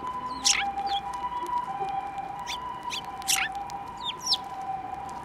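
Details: Sparrows flying onto a hand to be fed at a Tenmangu shrine on 15 March 2024; short high chirps and sharp downward notes come in scattered bursts over a steady humming tone in the background.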